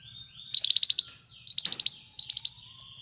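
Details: Canary training song in three short bursts of rapid, even trilled notes, each about half a second long and separated by brief pauses, with a soft low hum underneath.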